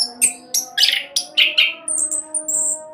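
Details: Orange-headed thrush singing quickly to prompt other birds to sing: several separate harsh chirping notes, then a series of thin, drawn-out high whistles, over a faint low hum.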